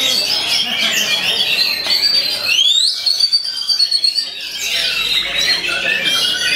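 Oriental magpie-robin singing loud, varied high whistles with a long clear rising slur, in the style of a white-rumped shama; a faint buzzy rattle underneath.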